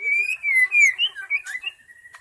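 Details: White-rumped shama lure song meant to draw in wild shamas, said to be a genuine forest recording: clear, loud whistled phrases sliding up and down, a long sweet note, then rising slurs, ending on a held whistle.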